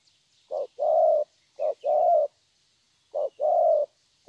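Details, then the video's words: Three cooing phrases from a young wild-caught spotted dove praised for its thổ voice, each a clipped low note followed by a fuller, longer hum, spaced about a second apart. "Thổ tốt tiếng.(chim tơ)"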